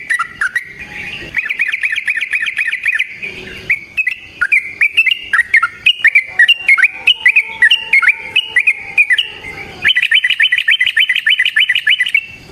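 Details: Long rolling fighting song of a yellow-vented bulbul (trucukan), used as a lure and tutor song: a fast, unbroken stream of liquid chattering notes about three per second, with brief pauses, ending in a dense rattling run.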